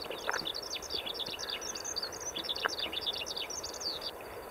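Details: Skylark in continuous song: fast, high, chattering warbles and chirps pour out without a break. A couple of sharp clicks sound briefly and steady outdoor background noise runs underneath.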